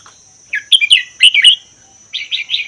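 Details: Red-whiskered bulbul, wild-origin Vietnam–Laos bird caged for a year, singing its 80% 'double' style to stimulate other bulbuls. Two loud, rich whistled phrases follow each other, then a quicker triple chirp, with a faint high hum behind.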